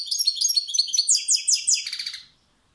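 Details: European goldfinch in captivity delivering a brisk song phrase: rapid tinkling twitters sliding downward into a short buzzy trill, lasting just over two seconds before silence.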